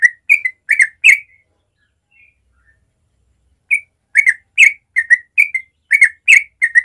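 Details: Yellow-vented bulbul giving natural morning song, used to stimulate young bulbuls to learn the rolling song: short, bubbly, liquid phrases in quick runs, with a brief pause midway before the chattering resumes.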